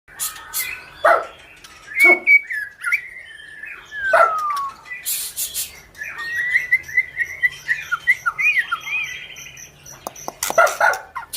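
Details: White-rumped shama of the 'panda' type, singing actively: varied clear whistled phrases, some sliding down, mixed with sharp clicking bursts and a fast rattling trill near the end.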